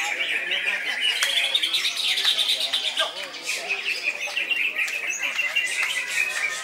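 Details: Loud koncer song of a greater green leafbird: an unbroken run of quick high chirps, buzzy trills and whistled slurs, dense and steady throughout.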